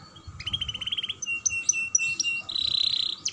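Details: Young canary singing as a lure to get other canaries singing: a quick even trill, sharp chips and short whistles, then a dense buzzy trill at the end, with faint low background rumble.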